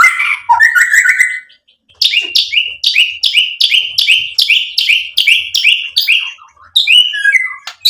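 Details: White-rumped shama singing to provoke other birds: a few slurred whistles, then a fast, evenly repeated series of about fifteen sharp, high chipping notes, ending in lower whistles.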